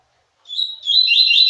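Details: Free-flying male Double-collared seedeater courting a female: a thin rising whistle that opens into a loud, rapid high-pitched warble, continuous and strong to the end.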